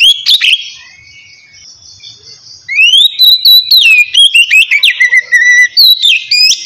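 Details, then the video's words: White-rumped shama in relaxed 'ngeplong' song, used to coax lazy birds into singing: a short opening chip, a pause, then a long run of rising and falling whistles and quick sharp notes. "kacer ngeplong santai ampuh buat mancing kacer malas binyi agar cepat rajin bunyi"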